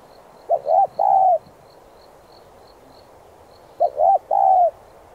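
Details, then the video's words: Spotted dove in urging 'thúc giọng' song used to train decoys: two full three-note coo phrases about three seconds apart, each ending in a long falling coo, over steady faint high-pitched ticking. "Cu gáy THÚC giọng sát bổi kích mồi tập bổi"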